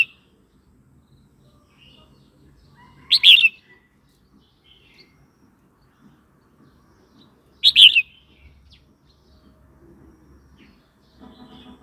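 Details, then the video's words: Red-whiskered bulbul song played to provoke other birds and teach young birds: two short, bright, whistled phrases roughly four and a half seconds apart, with faint background hum. "เสียงนกกรงหัวจุกร้อง 06"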